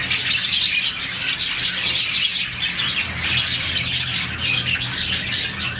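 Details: About 40 budgies in a colony giving happy morning chirping: a steady wall of high, overlapping twitters and warbles, many birds calling at once throughout, with a faint low hum beneath.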